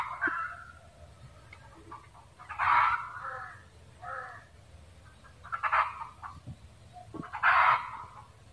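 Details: Red junglefowl cackle, loud rasping bursts coming about every two to three seconds with softer clucking notes in between, over a steady low background hum.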